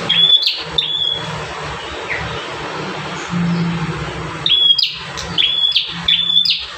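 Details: Bar-winged prinia song, from a five-variation training master for caged birds: a few thin, piercing whistled chirps, clustered at the start and end, over steady broadband background noise with a low hum.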